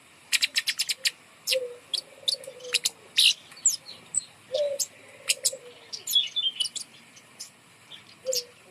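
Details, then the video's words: Bird set up high to prompt other birds to sing: dense, sharp high chirps in rapid runs, with a few steady low whistled notes repeated between the bursts. "gantang burung kemade di atas untuk pancingan burung malas bunyi"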